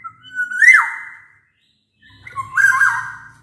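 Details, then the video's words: Black-naped oriole song: two clear whistled phrases with a rising swoop, and faint low hum beneath; played to encourage silent orioles to sing. "Suara kepodang gacor ini bisa di jadikan pancingan kepodang malas bunyi"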